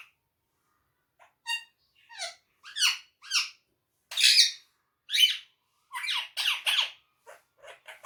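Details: Parrot kept as a pet, saying Urdu/Hindi words: scattered thin notes building into a series of loud, rasping, speech-like syllables, some paired, with soft trailing chatter.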